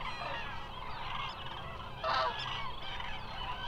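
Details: A large migrating flock of common cranes (Grus grus) at the Hula Nature Reserve wetlands, Israel, fills the air with overlapping rolling, trumpeting calls, one louder bugle standing out briefly.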